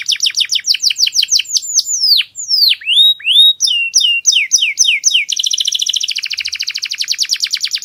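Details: Clear canary song of fast repeated downslurred notes, several long swooping whistles, then a dense, rapid trill held for over two seconds.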